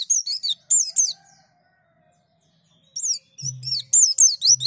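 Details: White-eye prompted to sing, a lure recording to get the bird to open its beak: high sweeping whistled phrases descending and rising, in bursts separated by a pause, with a low hum in the background.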